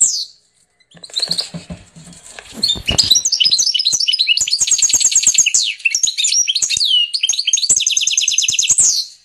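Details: A hybrid of a canary hen and a Portuguese European goldfinch sings a long, fast, high song of bright twitters, rapid trills and chattering rolls, run on almost without pause.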